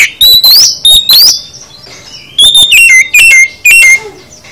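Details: Oriental magpie-robin giving a full song for training: bright rising whistles at first, then a string of four falling whistled phrases evenly spaced, each sharp and loud, with a short lull between the two parts.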